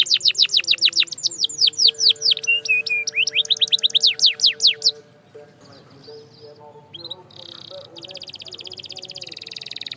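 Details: Canary song used to stimulate silent birds to sing. About five seconds of quick falling whistles and chirps, then a quieter stretch with low steady tones and a thin, high buzzy trill near the end.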